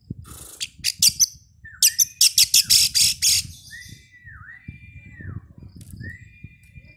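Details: Oriental magpie-robin lure song, played to prompt birds to sing before a contest: rapid harsh, buzzy bursts, then clear whistled notes that dip and rise, spaced about a second apart, over faint low background noise.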